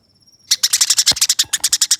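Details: Eurasian tree sparrow fighting song opening with a faint thin steady whistle, then breaking into a fast rolling train of rough chips, with a few low knocks beneath.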